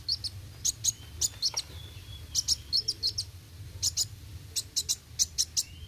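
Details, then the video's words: High sharp chirps from a kolibri wuling sunbird in roll tembak style, grouped in quick pairs and triplets with faint thin whistles between bursts, a low steady hum underneath. "Kolibri Wuling Gacor Roll tembak"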